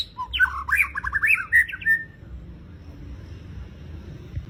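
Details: White-rumped shama singing a brief phrase of quick, varied whistled notes that jump up and down for about two seconds, then falls silent against faint background hum.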